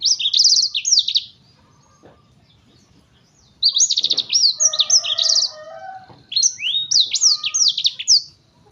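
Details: Black-throated bird in an agitated song, three loud bursts of rapid high chirped trills and descending slurs separated by pauses, with a low hum throughout.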